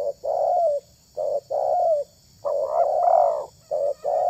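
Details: Spotted dove cooing in a repeated low, soft pattern: a brief note, a pause, then a fuller drawn-out coo, with one longer rolling coo in the middle, about every second. A thin constant high whine sits in the background.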